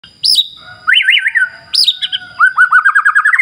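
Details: White-rumped shama song played as a lure to get other birds singing: clear high whistles, a wavering looped phrase, then a fast run of repeated rising notes, crisp against a quiet background.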